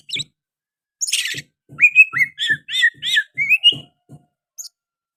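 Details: Oriental magpie-robin song with sooty-headed bulbul phrases: a scratchy burst followed by a string of rich, rising and falling whistled notes. Quiet low taps repeat beneath, and it ends in sparse short chips.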